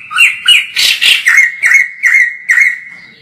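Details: White-crested laughingthrush in full song, distant recording used to train other birds: two rising notes, a loud harsh double rasp, then five evenly spaced ringing notes at a steady pitch, roughly two per second.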